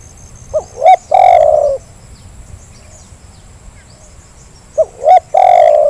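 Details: Zebra dove call used as a lure to make lazy birds start calling: short rising hiccup notes followed by a long, soft, purring coo, repeated twice about four seconds apart, with a steady high electronic whine behind.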